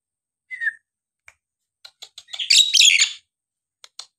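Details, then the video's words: Nias hill myna singing to spur quiet birds: one level whistle, scattered clicks, then a dense burst of harsh, buzzy high notes, then quiet. "jalak nias gacor!! buat terapi jalak nias bahan atau yg malas bunyi agar gacor kembali"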